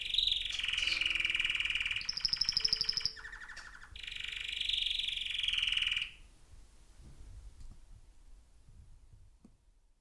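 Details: An old male yellow canary, about 7 years, a rescued escapee, sings indoors for six seconds to music in loud rolling trills, rapid buzzy bursts and high whistled tours; then the song stops and the room goes quiet.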